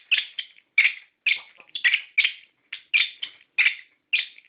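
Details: Orange-headed thrush song used to stimulate captive birds: short harsh-edged whistled phrases repeated about every half second in a steady sequence.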